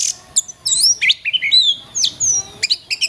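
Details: Oriental magpie-robin song used as a tutor recording for training songbirds: rapid varied whistled phrases, sharp rising and falling sweeps and short chirps, delivered in quick bursts with brief pauses, with a faint steady hum underneath.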